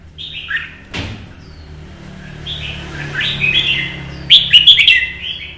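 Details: Red-whiskered bulbul in Vietnamese solo competition song: a few whistled phrases, a sudden knock early on, then a loud crackling flourish of quick notes near the end over low rumble.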